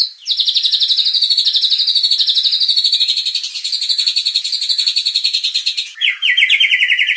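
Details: White-rumped shama singing, played to provoke aggression and draw out its repertoire for song contests: a long, fast, buzzy trill held for about six seconds, then a lower rattling burst.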